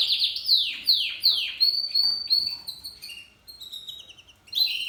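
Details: Young male Spanish Timbrado canary, seven months old, in timbrado discontinuo song: a run of quick falling whistled sweeps about three a second, then clipped, ringing, metallic notes, and a burst of louder rolling trill at the end.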